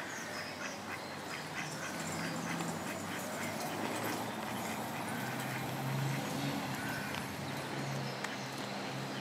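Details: Canada geese on the South Pond in Midhurst, West Sussex, England, at egg-laying time, giving soft, low, grunting calls in quick irregular runs against a steady hiss of wind or water.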